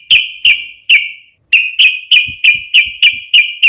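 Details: Sharp fighting song of a yellow-vented bulbul, meant to provoke rival bulbuls into singing. Loud, clipped chirps repeat steadily about three times a second, with one short break near the middle. The background is quiet.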